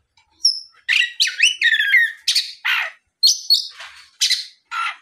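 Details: Oriental magpie-robin singing in the afternoon as a lure to provoke other magpie-robins into answering; loud varied phrases of rich whistles, harsh buzzy notes and high thin squeaks, delivered in bursts separated by short pauses, no other sounds.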